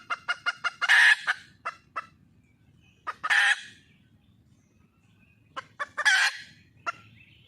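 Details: Red junglefowl hen seeking a partner, mixing quick clucking runs with three loud, harsh squawks spaced roughly every two and a half seconds.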